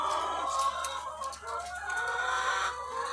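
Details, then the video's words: Thousands of egg-laying hens on a farm produce a dense, unbroken mass of clucking and cackling calls, with a faint low hum underneath. "The Sound of Thousands of Egg-Laying Chickens"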